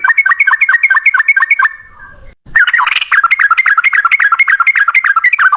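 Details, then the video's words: Yellow-vented bulbul, reportedly male, in extended fighting song meant to make bulbuls sing: quick looping chattered notes, a brief silence, then a longer denser run of babbling notes. "trucukan gacor TARUNG ROPEL PANJANG buat pancingan trucukan agar bunyi"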